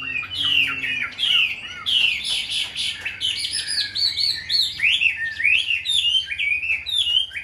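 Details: Caged Chinese hwamei, a tame hand-carried bird, pours out rapid rich whistled song: bursts of rising and falling slurred notes, phrase after phrase with brief gaps, over a low background hum.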